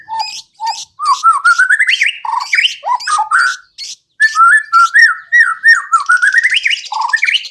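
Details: White-rumped shama singing a lure song that prompts other shamas to sing and show their repertoire: lively, varied whistled phrases climbing and dipping, with short buzzy notes and brief silences between bursts.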